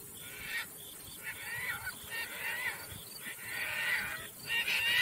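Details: Caspian tern in flight giving hoarse, grating calls in a loose series, each rough burst short and uneven, growing louder toward the end over steady open-air background noise.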